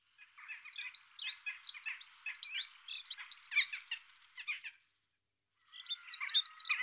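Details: European robin during courtship, as the male feeds his female, giving a rapid, high, jumbled twittering of thin notes and trills that runs for several seconds, pauses briefly, then resumes.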